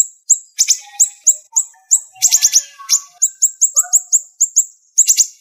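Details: Siri-siri bird training song with sharp, fast bursts: very high, clipped descending chips in quick runs, a brief dense cluster of rattling notes midway, and faint softer warbles lower down in the background.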